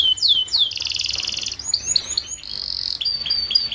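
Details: Canary song in the paud style, used as a master recording to tutor young group-kept canaries so they start singing quickly; high sweeping whistles, a buzzy rolling trill, then clipped chirps and short whistled notes in quick succession.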